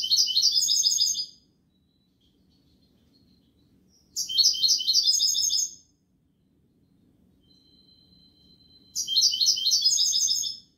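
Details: European goldfinch singing: three bursts of rapid, bright twittering notes, each about a second and a half long, separated by pauses of roughly three seconds, with a thin steady whistle before the last burst over a faint low hum.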